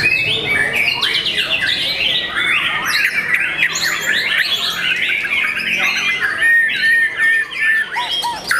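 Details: Young caged white-rumped shama of competition class singing rapid series of sweeping notes, around two and a half per second, varied chatter and whistles running on without a break.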